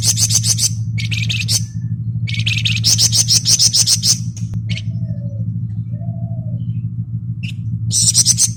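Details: Flamboyan bird singing in the ngebren style: dense, very high buzzy rattling trills in rapid bursts of one to two seconds, a few short pure whistles between, over a steady low droning hum.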